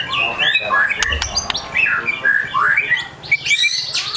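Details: Agitated White-rumped shama singing a busy mix of rising and falling whistled slurs, with a few sharp clicks and a low background hum.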